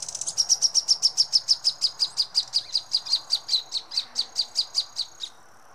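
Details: Young greyish saltator eating Ipomoea amnicola flowers at Santurce, Santa Fe, on 29 March 2024: a long, even series of high, sharp notes, about five per second, roughly twenty-five in all, then silence.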